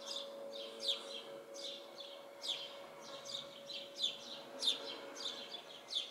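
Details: House sparrows in a yard tree, giving short, bright chirps repeated roughly every half second to second, each a quick downward-sweeping note, over a steady low hum in the background.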